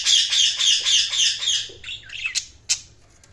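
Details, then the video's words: Budgerigars give a busy run of high, scratchy chirps and warbles, several notes a second, ending in a few sharp squeaks. "budgies chirping sounds"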